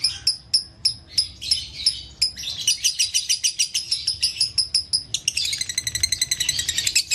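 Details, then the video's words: Lovebird in captivity starts with spaced sharp chirps, speeds up into a dense, chattering stream of high notes, then shifts into a fast trilled run. "Putar Suara ini agar LB anda akan kembali Bunyi"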